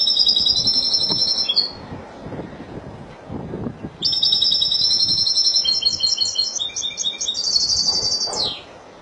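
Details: Spanish European goldfinch, Málaga, singing: a bright tinkling phrase of rapid high twitters and buzzy trills lasting about a second and a half, a pause with low background rumble, then a longer run of fast chattering notes ending in a sharp slur.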